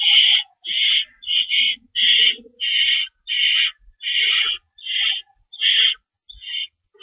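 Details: Owls at the nest during a night feeding on March 25 2012, prey being torn up for the young; a fast series of about eleven harsh hissing screeches, some doubled, repeated more than once a second.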